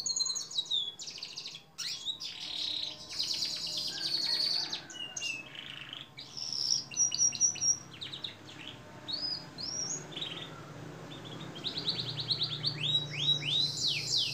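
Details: Canary song in a long training recording: varied buzzy trills, whistled repeated notes and rising slurs, somewhat irregular, with a faint low hum underneath.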